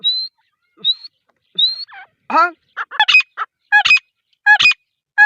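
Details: Grey francolin, a female, opens with three thin rising whistles, then breaks into a fast run of harsh, nasal, ringing notes that grow louder and more crowded toward the end.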